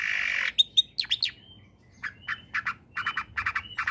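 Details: Lure song of a long-tailed shrike for getting other shrikes to sing: varied whistled and harsh notes, some sliding, followed by bursts of fast clipped chatter.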